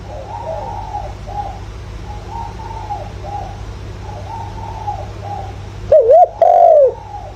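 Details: Spotted dove decoy calling to lure wild doves: soft, distant cooing runs through most of the recording, then a loud close phrase of a short coo and a long falling coo near the end.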